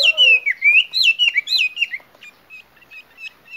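A female Chinese hwamei gives loud, slurred, rising and falling whistles for two seconds, then softer short chirps about twice a second.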